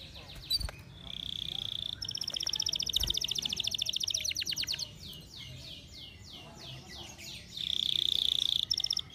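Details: Over-birahi canary in heightened breeding condition delivering a varied song: a high steady trill, then a rapid rattling roll, a run of descending whistled notes, and a final bright rolled trill.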